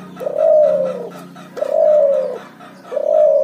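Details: Cuhu, a crossbred puter dove and spotted dove (tekukur), calling often in its ngoar-nguku style: three long, smooth, low hooting coos, each slightly arched in pitch and about a second long, spaced roughly every 1.3 seconds, in a quiet indoor setting.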